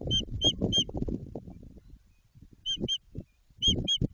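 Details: Nest-building white-tailed eagle at Jedwabno, Poland, early in the season, giving clipped, high yelps in three short bursts of two or three notes, with thumping and rustling of branches between them.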